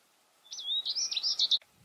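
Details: American goldfinch in breeding plumage singing one short, high phrase: a thin whistled slur leading into a jumble of quick twittered and warbled notes, ending abruptly.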